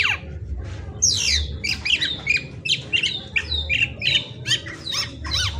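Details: Black-naped oriole in busy, overlapping high chatter: long descending sweeps, rapid squawky notes and twitters, set against a noticeable low rumbling background.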